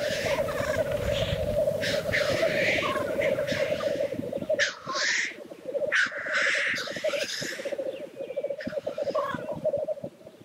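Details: Displaying black grouse at the lek make an unbroken, throbbing, low bubbling sound, with repeated airy hisses; the chorus dips briefly in loudness midway, then resumes with more hissing calls.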